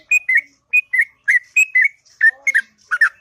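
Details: Long, sweet ngropel song from a sooty-headed bulbul at morning time; short whistled couplets of bright notes with brief gaps, a softer lower warble underneath near the end.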